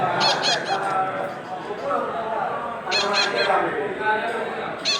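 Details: Red-breasted parakeet adult feeding young; short raspy begging notes come in quick groups at the start, around three seconds, and again at the end, partly masked by a continuous murmuring background.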